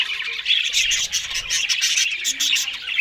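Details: A few Australian budgies eating green food in the morning produce rapid overlapping chirps and harsh warbles, high pitched and steady, with brief brighter squeaks mixed in.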